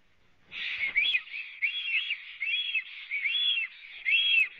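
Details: Latvian nest webcam, 24 April 2017, 11:55, three black storks on the nest: whistled, arched notes start after half a second and follow in an uneven, overlapping series.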